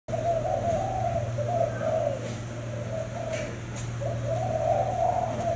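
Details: Spotted dove described as a diligent cooer of the 'thái hậu' style; mellow low coos rising and falling in phrases, broken by short pauses, over a steady low electrical hum.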